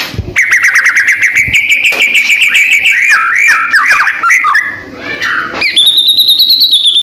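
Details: Caged white-rumped shama of the Medan type singing energetically, prepared for competition: a long run of fast repeated notes steady in pitch, then looping varied phrases, ending in high, rapidly repeated whistles.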